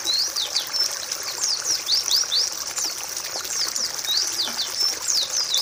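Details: Song-training recording of a pleci white-eye: excited, very high twittering of rising and falling slurred notes in close bursts, steady and lively.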